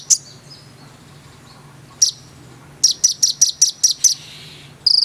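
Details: Konin in lively song, a single high chirp, then a quick string of about seven sharp piercing notes and a final burst.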